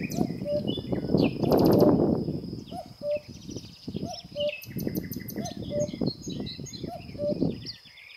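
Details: Common cuckoo, a migrant about to leave for Africa, giving repeated two-note calls, a higher note then a lower one, roughly once a second, over strong low rumbling noise with other birds chirping faintly above.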